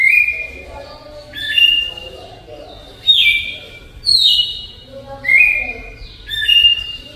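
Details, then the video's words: Slow flute-like song of a Red-cowled Cardinal in the Alagoas style: a series of six pure whistles, some rising, some falling into level tones, roughly one per second, with faint murmuring underneath. "GALO DE CAMPINA CANTO FLAUTA ALAGOANO LENTIDÃO"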